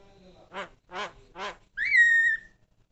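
Javan myna giving three harsh, nasal notes about half a second apart, then a clear whistle that swoops up and holds steady.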